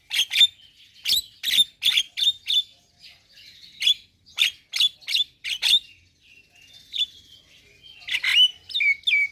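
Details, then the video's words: Javan myna singing vigorously: a string of harsh, squawky chirps and scratchy notes in irregular bursts, some with brief whistled tones, clustered densely early on, with a pause before a final burst of mixed chirps and a whistle. "Kicauan Jalak Gacor - Suara Jalak Kebo Paling Gacor"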